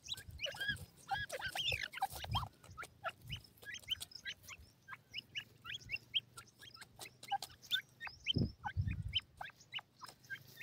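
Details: White-plumaged grey francolin chicks kept in captivity, pecking at feed: a steady flurry of short, thin, upward-sliding peeps from several birds, mixed with sharp pecking taps and occasional low thumps.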